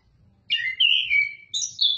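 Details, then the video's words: Oriental magpie-robin singing: clear, loud whistled phrases that slide and waver, a falling slurred note followed by a higher sharp whistle, over faint low background rumble. "Burung Kacer"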